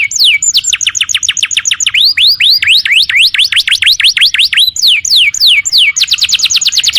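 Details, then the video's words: Vigorous canary song (kenari gacor) built from steep downslurred whistles, then a quick series of rising swept notes, and finally a fast high trill. "Suara kenari gacor"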